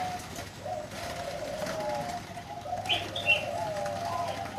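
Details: Zebra dove kept on a bird farm, valued for a big, deep voice, giving a low, sustained cooing that wavers gently. Two brief higher chirps break in near the end over a soft background hiss.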